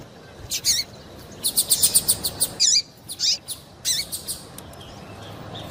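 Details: High calls from a female double-collared seedeater meant to rouse a male to sing; a busy cluster of rapid bright chirps followed by several swooping, wavering notes, spaced out and fading toward the end.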